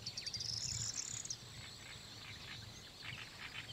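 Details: Spanish sparrows at Lake Kerkini National Park, Greece, in April 2024 give a dense burst of high, rapid chirps for just over a second, then fainter scattered chirping over steady background hiss.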